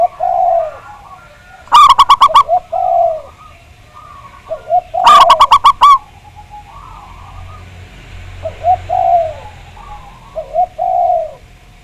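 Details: Big-voiced local zebra dove from Java, played to trigger singing. Gentle rolling coos throughout, broken by two loud rapid bursts of ringing staccato notes a few seconds apart.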